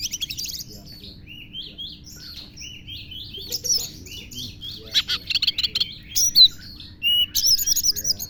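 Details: Oriental magpie-robin singing with lovebird imitations: a quiet stretch of soft warbled whistles building into louder rapid chatter and sharp high chirp bursts near the end.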